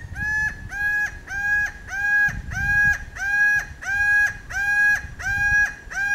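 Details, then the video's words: Laughing Falcon, known locally as guaco, in Manuel Antonio, Costa Rica, giving loud hoarse nasal notes in a steady series, about eleven in six seconds, each with a short rising start, evenly spaced, with soft low rumble behind. "Laughing Falcon "Guaco""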